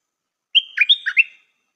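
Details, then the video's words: Single song phrase from a stripe-throated bulbul used as a decoy: a clear opening whistle, then a quick run of four liquid, burbling notes dropping and rising, in a quiet setting. "นกต่อใหม่เปิดดอกน่าฟัง สำนวนดี Suara pikat merbah lekir"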